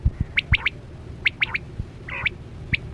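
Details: Short burst of chora quail lure sound: quick bright chips in pairs and triplets, one nasal buzzy note, and several low knocking thumps.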